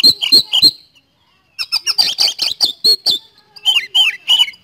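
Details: Kacer, or Oriental magpie-robin, in full song ('gacor'): a few quick chirps, a brief silence, then a rapid rolling string of harsh whistled notes, ending in descending slurred whistles.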